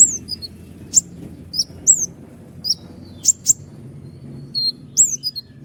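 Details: Common iora (konin gacor) singing sparse, sharp, high whistles, a few with falling slurs, scattered over several seconds above a noticeable low rumbling background. Sung as a master for other songbirds.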